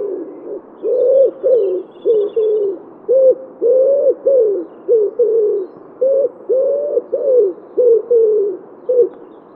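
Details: Common wood pigeon in Wittlich, 2017, giving deep, soft hooting coos in steady phrases of five to six notes, each note slightly rising then falling, phrases repeated with short pauses; faint high bird chirps briefly in the background.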